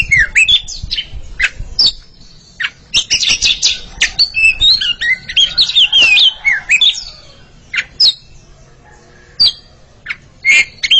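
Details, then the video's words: Oriental magpie-robin pair in a singing duel, bursts of rapid chips and warbled whistles, then sparser single notes separated by short silences. "Sepasang kacer sedang beradu kicauan"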